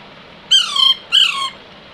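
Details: Young Alexandrine parakeet indoors utters two raspy, descending squawks, each about a third of a second, separated by a brief pause.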